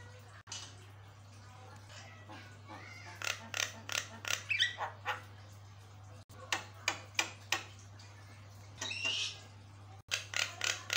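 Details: Javan myna in vigorous full song, the kind said to set other mynas answering: harsh broadband rasps and dry clicks in rapid irregular bursts, a few short whistled notes among them, over a steady low hum.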